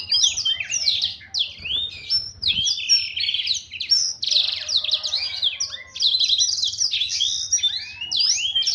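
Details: Blackthroat song: a loud, rapid, unbroken stream of sweet chirps, slurred whistles and trilled phrases, tumbling up and down at high pitch for the whole stretch with hardly a pause.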